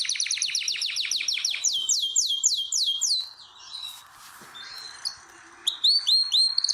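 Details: Canary in a breeding room, birds being prepared for mating: a run of loud descending whistled notes that slows and lengthens, then a quiet gap with scratchy noise, and a few sharp chirps at the end.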